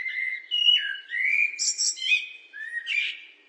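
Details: Continuous mellow whistling from a blackbird, gliding up and down, interrupted by two bursts of thin, high chirring notes. The background is otherwise still.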